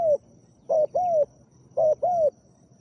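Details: Spotted dove calling while used as a decoy to lure a wild dove: short deep coos in pairs, each arched and mellow, separated by brief pauses, with low rumbling background and a faint constant high tone.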